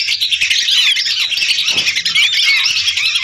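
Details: Lure recording of hundreds of lesser whistling ducks, a constant wall of high twittering whistles with occasional clearer downward-sliding notes.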